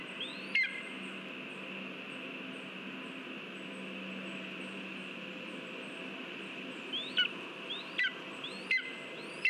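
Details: Lesser spotted eagle at its nest as a mouse is delivered, 13 August 2023: short, sharp yelping calls with a falling tail, one early and then three more in the last three seconds, over steady background hiss and faint high ticking.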